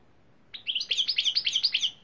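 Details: European greenfinch (Carduelis chloris) bursting into a rapid, bright twittering trill of high chirping notes lasting about one and a half seconds after a quiet start.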